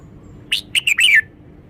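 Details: Red-whiskered bulbul showing off its song phrasing, clear and with every note stressed: a short burst of four bright, slurred whistled notes, the last longest and falling, over quiet background.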